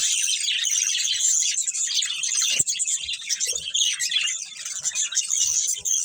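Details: Pet budgerigar breeding pair and family: busy high-pitched warbling and chirping chatter, steady and continuous, with occasional soft clicks and thumps.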